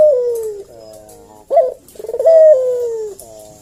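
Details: Lure coo of a Barbary dove, recorded to provoke an answer: drawn-out descending coos with a sharp rising note between them. The sound is clear and dominant over a quiet background.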